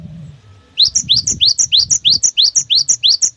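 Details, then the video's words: Cinereous tit delivering a rapid 'wucit wucit' song to spur other tits into song: a steady run of about twelve sharp upslurred whistles in alternating pairs, with low rumbling noise beneath. "5 SUARA ASLI GELATIK BATU GACOR PALING WUCIT WUCIT PANJANG"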